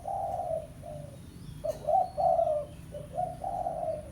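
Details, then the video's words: Spotted dove of the pesom type calling to lure a rival: a sustained hoot, then a full phrase of short note, rolling double coo and long final hoot, with low rumbling hum beneath. "Suara Pikat Tekukur Pesom - Tekukur Pikat Suara Memanggil Lawan"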